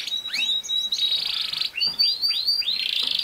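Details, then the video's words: Young male canary training song: bright rising whistled sweeps repeated in quick succession over a sustained buzzy, rattling roll, continuous and loud throughout. "How to make a CANARY Sing fast | The BEST video for CANARY SINGING"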